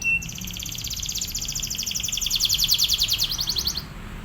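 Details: Canary singing a drilling training song for other canaries: a short whistled note, then one long rapid trill of bright pulsed notes that grows louder toward the middle and stops abruptly after nearly four seconds.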